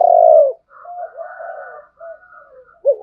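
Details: Spotted dove voice, male and female, for provoking wild doves to fight: a loud descending coo opens, then softer drawn-out murmuring coos and a final rising hoot.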